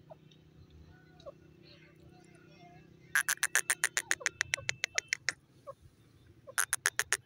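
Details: Grey francolin (gora teetar): after three seconds of quiet low background, a loud run of about fifteen sharp, harsh notes in rapid succession, a brief pause, then another rapid burst at the end.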